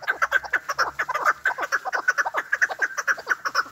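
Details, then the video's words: Hunting-lure call of the chukar partridge (chakor): quick, hoarse clucking chucks, about two per second, loud and rhythmic throughout. "Chakor voice | chakor sound | Hunter chakor voice/ chakor ki awaz."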